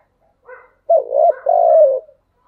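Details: Spotted dove giving a thúc gù coo: a faint soft note, then a loud, throaty coo phrase of a short hooked note followed by a long, level, slightly falling coo.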